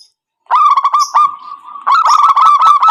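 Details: Zebra dove used to lure wild birds into traps: quick rattling coo notes, a sustained steady tone, then a renewed burst of fast, slightly higher repeated notes.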